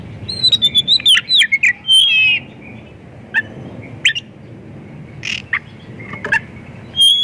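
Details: White-rumped shama song used as a lure to get other shamas singing: a rich medley of whistled notes near 3–4k mixed with sharp chips and scratchy bursts, delivered in quick clusters with short gaps.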